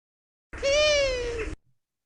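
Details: A Long-eared Owl gives its unusual call, a single drawn-out, nasal, cat-like mew about a second long, rising slightly then sagging, somewhat like a great horned owl; no other sounds.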